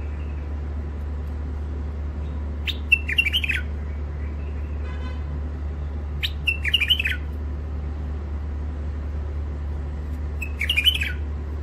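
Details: Wild-caught birds in their first moult, from the Mandali crossing area, singing sharply: three short burbling, chirpy phrases roughly four seconds apart, each a quick run of bright notes, over a steady low electrical hum.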